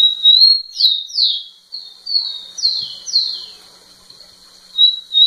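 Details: Rufous-collared sparrow singing intensely at a female, giving a steady whistled note then a series of loud down-slurred whistles, ending with another level whistle.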